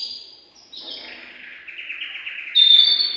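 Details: Male canary, excited and singing to stir the female for mating, gives a high note, then a fast pulsed trill, and ends with a loud piercing whistle.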